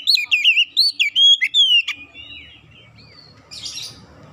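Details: Kacer (Oriental magpie-robin) lure song for restoring a hesitant singer. It opens with quick, loud looping whistles and long downslurred notes, then fades to soft warbles over low background noise.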